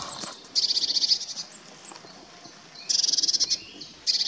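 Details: Eurasian blue tit courting in forest near Wuppertal Beyenburg, North Rhine-Westphalia, on 12 May 2021, giving three short high trills of rapid, even pulses, each lasting under a second, against a quiet woodland background.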